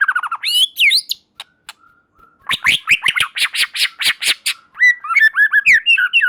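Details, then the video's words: White-rumped shama song meant to provoke other shamas into responding: quick slurred whistles, a run of loud harsh rhythmic notes repeated about five per second, then bright varied whistled phrases. "Murai Batu Lain Dijamin Langsung Respon dan Nyambar Bunyi, Coba Saja Putar || Voice of Murai Batu"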